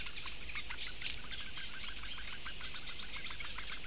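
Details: Four Eurasian bittern chicks begging for food, 16 May 2017: dense, regular bursts of short high chirps repeated several times a second, voices overlapping throughout, with low background noise.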